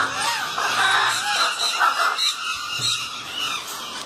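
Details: Pair of caged Goffin's cockatoos kept in Aurangabad, Maharashtra, giving harsh, raspy screeches and squeals, loudest in the first two seconds, in a small room with some background noise.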